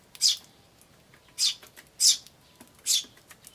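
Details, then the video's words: Eurasian tree sparrow chicks and adults recorded 10 May 2013, chicks chirping "chi chi" while adults call; four sharp high chirps, uneven spacing, with faint softer ticks between them in a quiet setting. "スズメと雛の鳴き声(5) Sound of Tree Sparrows and chicks (5)"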